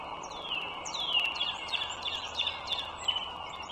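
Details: Wild bald eagle at its northern Virginia nest on the Dulles Greenway, spring morning of 21 March 2023, uttering a fast series of high, descending squeaky notes, sharp and uneven, against a persistent background hum.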